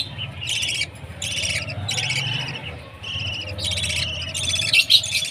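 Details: Baby budgie at food time giving rasping, buzzy chirps in short bursts, several in a row, with a high squeaky note near the end over a low background hum.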